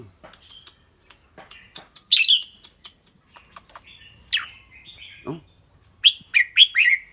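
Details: Red-whiskered bulbul singing and chattering in a clear voice: scattered dry ticks between loud bright slurred whistles, one longer descending note, and a closing series of four quick whistled notes.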